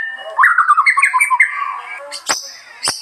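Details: White-rumped shama singing in rural Bali, Indonesia: a rapid run of clear warbled whistles for about a second and a half, followed by a few sharp, high, clipped notes.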